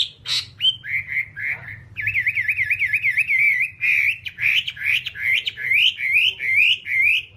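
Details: Whambie master song for tutoring captive birds. A sharp high note opens a series of whistles, then a quick warbling trill and a chain of looping, rising whistled phrases repeated about twice a second.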